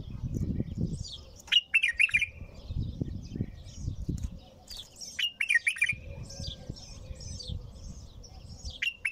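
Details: Singing without pause, a bulbul gives two bursts of bright, bubbling warbled notes around two and five seconds, while low thumping knocks and distant high twitters of other small birds fill the gaps.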